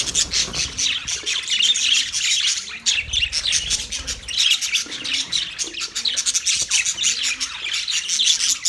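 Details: Australian budgies chirping together, a steady chorus of bright twittering notes and short warbles layered from many birds, with soft lower whistles underneath.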